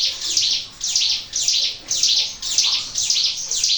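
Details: Natural-sounding ciblek gunung (Sunda warbler) lure song: a fast, regular series of high, scratchy chirp bursts, about seven in under four seconds, each with falling sharp notes, over faint hiss.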